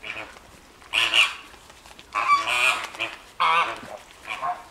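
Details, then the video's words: At Llanelli Wetland Centre, Wales, flamingos give a few loud goose-like honks in separate bursts, each a harsh nasal blare lasting a fraction of a second, recorded 21 August 2021. "Noisy flamingos"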